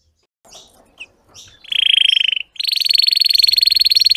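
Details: Red Belgian canary singing an intense, deep-throated training song: a few short chirps, then fast rolled trills, a lower buzzy trill and a higher, longer rattling trill.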